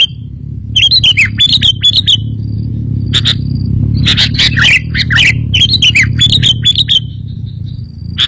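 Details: Kutilang, or sooty-headed bulbul, heard on a lure recording to attract birds and get caged ones answering: bursts of bright chirps and slurred twitters, some dropping in pitch, over steady low-pitched rumbling noise throughout.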